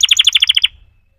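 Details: Canary giving a short burst of about eight rapid, evenly spaced bright notes that stop abruptly and fade away.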